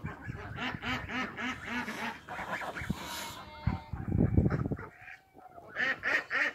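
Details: Ducks at a historic Doukhobor farm in Nelson, seen on a farm tour, quack in rapid, repeated nasal bursts, several birds overlapping. Brief low thumps and a person's voice come in the middle, and roosters are nearby.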